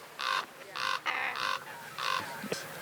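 A common raven gives four harsh, hoarse croaks, each about a third of a second long, spaced roughly half a second apart, with a faint voice briefly at the end.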